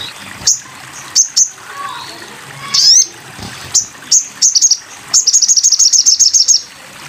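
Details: Sogon bird, masteran: scattered loud high chirps and a rising sweep, then a brisk trill of about fifteen bright ringing notes, with low background hum.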